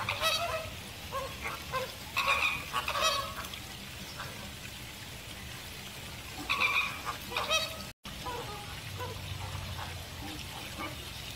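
American flamingos give loud, nasal, goose-like honks in clustered bursts, several birds overlapping, with quieter gabbling between outbursts.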